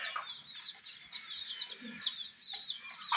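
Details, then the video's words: A group of domestic chicks with toy jeeps chirps nonstop, their thin high peeps overlapping into a steady chatter, with a few soft knocks. ""Chicks Chirping" Sound"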